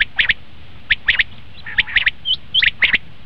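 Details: Common quail calling for quail hunting: short sharp chirps in bursts of two or three, separated by brief pauses, plus one thin upslurred note.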